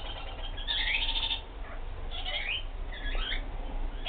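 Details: Kakariki giving a run of sharp, squawky chattering notes, with bright rising and falling whistled squeaks clustered in bursts over a steady low background rumble.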